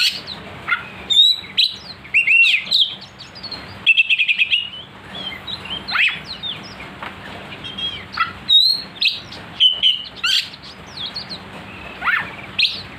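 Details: Oriental magpie-robin song used as a lure to provoke another bird into agitated, aggressive singing: a loud, rapid run of varied sharp whistles, chirps and slurred notes, with phrases following close on one another over a faint steady hum.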